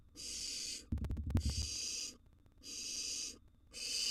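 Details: Barn owl chicks, wild, hissing at a nest box as prey arrives: four evenly spaced rasping bursts, with a clatter of knocks and scuffles between the first two.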